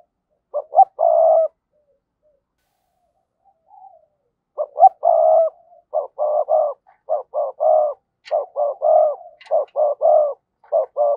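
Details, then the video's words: Decoy spotted dove calling to lure wild doves: low, husky coo phrases of short lead-in notes and a long purring coo, then a quick run of clipped, regularly repeated coos. "Chim Cu Mồi Gáy Gọi/ cu gay kich boi nhanh noi gù"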